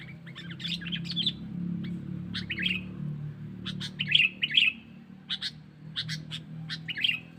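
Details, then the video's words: Lure call of a sooty-headed bulbul for drawing in wild birds: quick sharp chirps and short twittering notes in loose groups, with a constant low droning hum underneath. "Suara Burung Kutilang Pikat Cengkeram"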